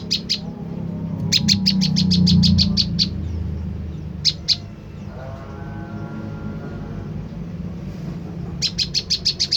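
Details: Olive-backed tailorbird lure call meant to provoke a reply from other tailorbirds. Fast bursts of sharp, high ticking notes, each run about a second long, with pauses between. A steady low hum runs underneath.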